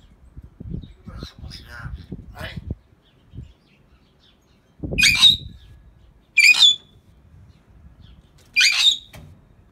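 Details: A talking pair of greater hill mynahs: soft chattering notes, then three loud grating squawks, each closing in a thin whistle, spaced roughly every one and a half to two seconds, over low background noise.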